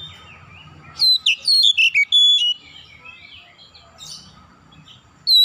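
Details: Calling Oriental magpie-robin (kacer) gives one sustained run of loud, bright whistles and dropping slurs lasting over a second, followed by softer twittering and a final sharp note.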